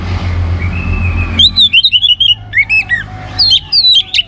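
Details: Energetic orange-headed thrush song for triggering other birds to sing: a thin rising whistle, then a rapid series of looping, slurred whistles and sharper high notes.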